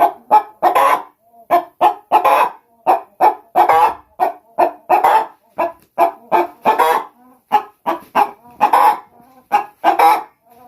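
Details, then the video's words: Brahma hens kept for eggs in England cluck in a long sequence of rough, raspy bursts. The bursts are loosely grouped, with short gaps between clusters. "ไก่ขัน sounds of chicken"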